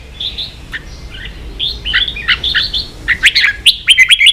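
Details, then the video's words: Red-whiskered bulbul, a Vietnamese pet songbird excited into contest singing, gives soft warbling whistles that build to a loud, rapid series of clipped, rising chirps. "Chào mào kích đấu căng lửa chơi cực hay"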